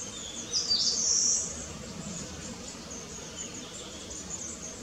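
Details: Long-tailed tit fledgling just out of the nest, foraging restlessly between high and low trees: a single short burst of very high, thin, slightly rising twittering notes, then quiet with faint low background rumble.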